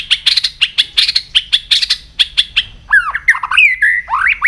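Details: White-rumped shama in morning voice training, giving a rapid series of harsh, chattering notes roughly five per second, then switching to clear, sweeping whistles that slide up and down.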